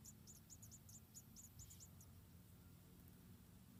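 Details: Nest of around four white-headed tit chicks in Indonesia being fed by the mother: a two-second flurry of high, sharp chirps, then only low background hum.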